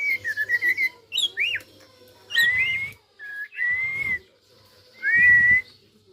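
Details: Tame white-rumped shama, described as ready to fight another bird, opens with a rapid warbling trill, then gives varied whistles: a looping rising-falling note, followed by long level whistles and one upslurred phrase, separated by short gaps.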